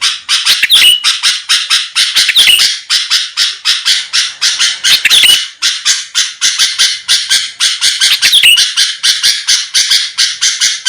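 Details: Sooty-headed bulbul calling to draw a fast response from rivals: a dense, almost continuous train of rasping, buzzy bursts about four per second, with occasional sharp rising whistled notes woven in.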